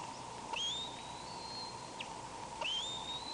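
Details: Bald eagle wheezing on May 19, picked up by a camera: two thin, high whistled notes, each sliding upward then levelling off, set against a constant electrical hum.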